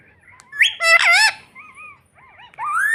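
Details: Pet green ringneck parrot talking: a loud, harsh squawked word followed by softer wavering whistled syllables and a final rising phrase, recorded indoors.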